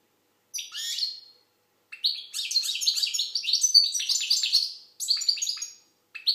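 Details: Singing Algerian European goldfinch, a short buzzy opening phrase, then a long continuous stream of rapid tinkling twitters and trills, ending with shorter chirpy bursts.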